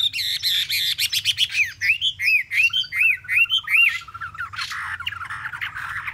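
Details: Caged Chinese hwamei, three months caged, opens with rapid buzzy trills, then a run of five or six looping arched whistles over a low rolling trill, ending in scratchy chatter.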